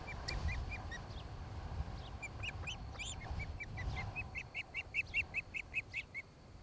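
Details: Osprey at a nest in Charlo, Montana, filmed by a nest camera on a July afternoon where a mated pair is raising a family; loud whistled chirps in quick series, building into a rapid, evenly spaced run of sharp notes, over low wind rumble.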